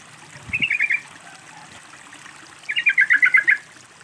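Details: Yellow-vented bulbul lure calls, played with running water to stimulate silent birds into singing: two short bursts of bubbly, chattering notes, the second longer and richer, over a steady trickle of water.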